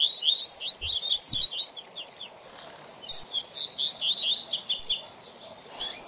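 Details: Double-collared seedeater (coleiro) kept as a song tutor for a learning young bird, giving rapid high twittering bursts of chirps and whistled slurs, then a thin sustained whistled run, with soft thumps behind.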